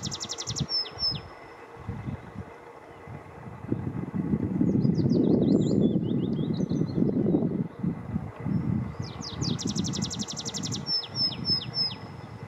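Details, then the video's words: Tree pipit at Yarner Woods, Dartmoor, 4 June 2020, sings high, fast trills and runs of sharp repeated notes in two bursts, with a descending series between, over a steady low rumble of passing traffic. "Tree Pipit"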